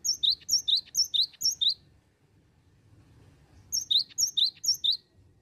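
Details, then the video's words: Cinereous tit in continuous "bocor" song, offered as a lure recording. Six rapid two-part phrases, each a sharp high note sliding to a lower whistle, are followed by a pause and then four more phrases, all over faint background rumble. "BURUNG GELATIK BATU BOCORR OWORR OWORR//PANCINGAN GELATIK DI CARI"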